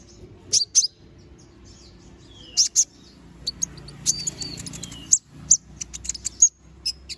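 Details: Vocal little spiderhunter giving sharp, very high chips in pairs and short bursts, with a few thin downslurred whistles, then a quicker run of piercing notes near the end.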